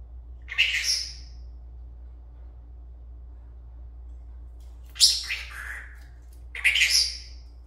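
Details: A dancing, talking pet Senegal parrot makes three separate shrill calls, each a sharp onset sliding down in pitch. They come at the start, near five seconds and near seven seconds, with quiet gaps and a low hum.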